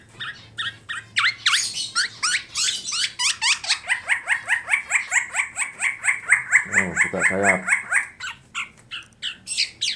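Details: Tame black-naped oriole (kepodang emas) from Klaten, Central Java, in full mimicry fill: fast repeated sweeping notes run together into a steady chatter, with a lower, rougher bark-like burst near the end, against a quiet background.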